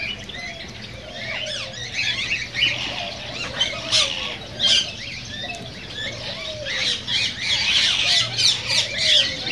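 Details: Cockatiels, a sound meant to stimulate mating and singing: a busy chorus of overlapping sharp chirps and short rising whistles, louder bursts around the middle and end, over low wavering curved tones and a faint steady hum.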